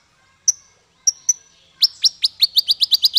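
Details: Male kolibri ninja sunbird (konin) song used as a tutor recording for training songbirds: a few isolated sharp high chirps, then a fast run of about ten bright, downslurred high notes, quickening toward the end.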